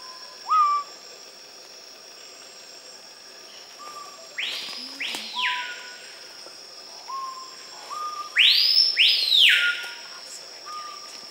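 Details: Screaming piha filmed in summer 2012 in Manu National Park, Peru, giving two ringing whistled calls that swoop steeply up and back down, each led by soft low whistles, over a steady high insect drone.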